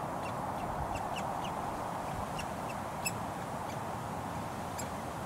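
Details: Begging woodpecker fledgling being fed by a parent in a Surrey front garden beside a road, June 2022: brief sharp chipping notes, roughly two per second, irregular, against loud traffic rumble.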